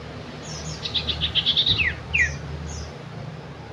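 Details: Sooty-headed bulbul (cipow, cipoh) with a fast chattering string of short repeated notes ending in a downward slur, then one more falling note. A low hum runs underneath.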